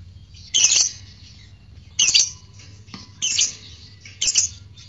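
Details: Fighter lovebird calling, meant to stir courtship mood and song in listening lovebirds; four scratchy, harsh high squawks about a second apart over a faint low hum.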